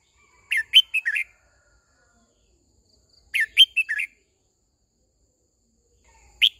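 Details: Decoy Red-whiskered bulbul singing to call a flock and train newly caught birds: short bursts of four or five bright, bubbly whistled notes about every three seconds against a quiet background.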